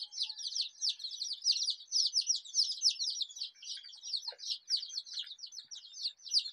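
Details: Native desi chicks, dyed rainbow colours, peep shrilly and without pause. The dense flurry of short falling notes keeps a slightly pulsing loudness throughout.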